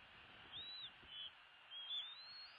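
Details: Bald eagle nest with two eaglets at feeding time, 16 February 2016; a few high thin whistled cheeps, one arched and others flatter, against constant hissing background noise.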